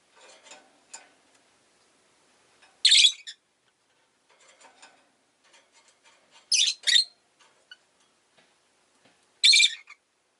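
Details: Pet rosy-faced lovebird giving loud, sharp rasping chirps, one single, then a quick double, then another single, over soft clicks and faint street noise.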